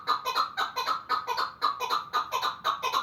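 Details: Pamir chukar partridge giving rapid, throaty chuck-chuck notes at roughly two per second, each note rough and slightly rising, in a short, loud, even series.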